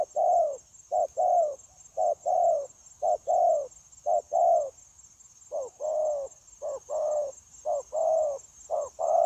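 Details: Spotted dove, a wild-caught bird used in trapping, delivering persistent linked cooing on 9 January 2024. Soft low coos in short-long pairs follow each other rapidly, slightly uneven in spacing, with a steady faint high hum throughout.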